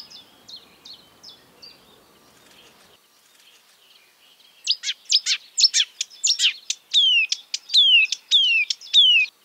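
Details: Faint repeated notes give way, after a pause, to loud marsh warbler phrases: sharp chips, then a run of crisp, downward-sweeping whistles. The species imitates European and African birds.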